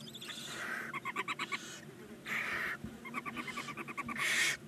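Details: Barn owl chicks, nine nineteen-day-old nestlings in a chimney-mounted nest box at Ságvár, Hungary, giving quick stuttering runs of short ticking notes mixed with long, rasping hisses.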